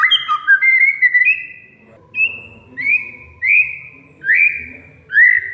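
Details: Oriental magpie-robin (kacer) song meant to stir a silent bird: a few quick whistles, then clear rising whistled notes repeated about every seven-tenths of a second.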